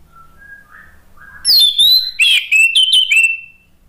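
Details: Lure song of an orange-headed thrush, meant to coax other birds into singing: soft low whistles at first, then a loud burst of rapid, descending slurred whistles and warbled notes lasting about two seconds.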